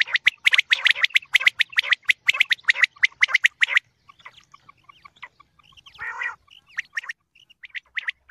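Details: Common quail call for morning quail hunting: a rapid run of sharp, clicking notes for about four seconds, then scattered faint ticks and one brief buzzy burst.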